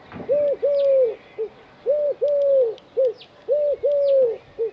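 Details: Eurasian collared dove perched on an antenna in Dzierżoniów, calling a steady three-part coo: two longer hollow notes and a short final one, repeated three times about every 1.5 seconds, with faint high chirps of other birds behind.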